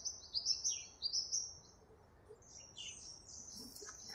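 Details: Owl finch (double-barred finch) calling: a rapid string of high, thin, downward-flicking notes in the first second and a half, followed by softer overlapping chirps from other small birds and light background hiss.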